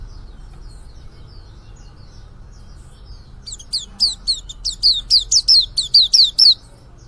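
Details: Faint scattered high twitters for several seconds, then the young white-eye bursts into a rapid string of loud, high descending whistled notes, roughly two per second, before stopping abruptly.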